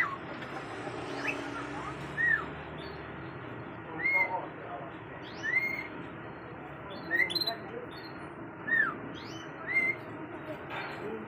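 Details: Bird singing: a clear whistled note rising then falling, repeated about every one and a half seconds, with softer chirps and a constant background hiss.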